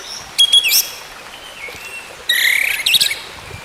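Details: Orange-headed thrush song, played as therapy to bring back a silent bird's singing: two loud, rich bursts of high tumbling notes separated by a quieter thin whistle.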